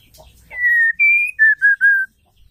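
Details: Call of a female white-rumped shama, used to excite males into song: a smooth whistled note, a higher held whistle, then three shorter lower whistles in quick succession.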